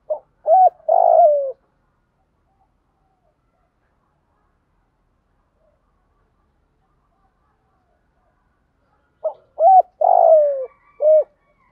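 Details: Cooing of a spotted dove, used as a lure for training a decoy bird: two phrases of about four low, hollow coos each, the middle note long and falling. The phrases are separated by about seven seconds of silence.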